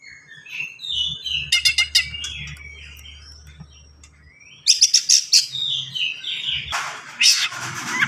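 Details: Fast, tightly packed song of an Oriental magpie-robin, a songbird with varied fillings, mixing buzzy whistles with sharp repeated clicking bursts, a strong rattle after a quiet middle stretch, ending in a harsh noisy phrase.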